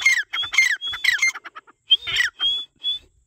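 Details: Grey partridge calling with loud, harsh squawks and sharp, shrill whistled notes, some sliding downward, in uneven bursts followed by short, steady high whistles.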